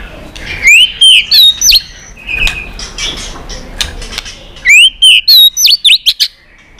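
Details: White-rumped shama in competition song: a burst of loud rising whistles and sharp chips, a quieter pause with faint background notes, then the same bright upward-swept phrase repeated.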